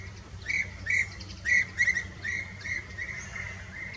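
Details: Fieldfares eating berries in the Eifel, giving short chattering calls, about eight buzzy notes in quick irregular succession over steady low background rumble.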